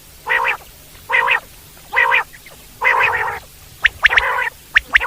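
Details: Four evenly spaced, buzzy, nasal mewing notes from a wild common quail, followed by quick sharp whistled triplets.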